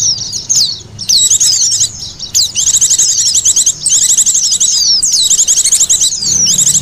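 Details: Birds lured with Oriental white-eye calls: scratchy high chirps building into busy, overlapping trilled twitters that run almost nonstop.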